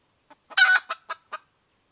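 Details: A hen red junglefowl gives a quiet cluck, a loud hoarse squawk, and then three clipped, evenly paced clucks.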